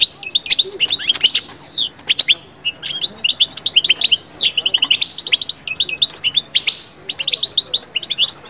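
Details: European goldfinch song meant to lift birds out of moult into summer breeding mood: rapid, unbroken liquid twittering with buzzy trills and quick high notes, closely packed phrases running throughout.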